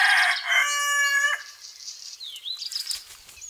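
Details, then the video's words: Rooster crowing outdoors in nature in spring 2018, among other birds and hens: a loud, rich, harmonic crow lasting over a second, ending on a long held steady note, followed by quieter twittering and whistles from small birds. "Chant du coq dans la nature"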